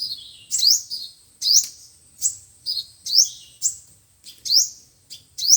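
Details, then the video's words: Five-colour and seven-colour sunbirds played from a speaker to catch birds: clean, very high chirps sweeping upward, repeated roughly every half to one second, some doubled, with almost no other sound. "Tiếng chim hút mật 5 màu và 7 màu dùng để bẩy loa"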